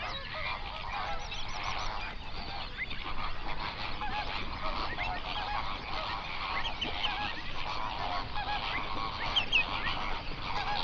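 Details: Large flock of flamingos, hundreds strong, on a South African national park lake in the Overberg region at sunrise, binaural recording; ceaseless mass of honking, gabbling calls layered together, a few higher squeaky notes near the end, low rumble beneath.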